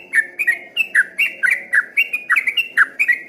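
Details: Trucukan, the yellow-vented bulbul, in full continuous ropel song that sounded like a straw-headed bulbul from afar: rich, warbling whistled notes in uneven bursts, falling and rising, about two each second, with a quiet hum underneath.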